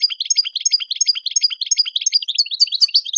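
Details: European goldfinch delivering Tadmait-style song meant for teaching young birds to sing cleanly: continuous fast, liquid twittering with repeated chirp groups roughly three per second, ending in higher, sharper slurred notes.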